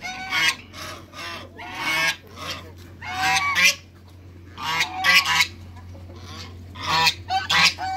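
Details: A pair of African geese kept in a backyard with other waterbirds, giving loud harsh honks in bursts, often doubled, roughly every second or two, over a steady low hum.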